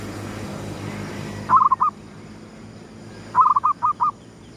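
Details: Zebra dove (perkutut) lure bird of the gedong mengo style, cooing as the sun rises: two quick phrases of mellow, bubbling coos, the second longer with four or five stuttered notes, over a low steady background rumble.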